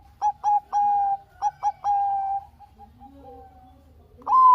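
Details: Zebra dove of the Bangkok type, used as a lure to get lazy doves singing: clean, low, mellow coos, two short notes then a longer held coo, the phrase repeated, followed by a rising coo at the end.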